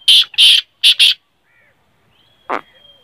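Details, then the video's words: Black francolin uttering four loud, buzzy, grating notes in two pairs, followed by silence, one brief click and a faint long whistle. "kale teetarr ki Awaz|black francolin"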